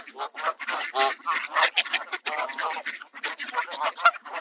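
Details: Canada Geese, excited while being fed seed beside Mallard Ducks in Southern Ontario, honk louder in a dense, overlapping chorus of harsh nasal calls, several per second, as ducks quack and swarm around the food.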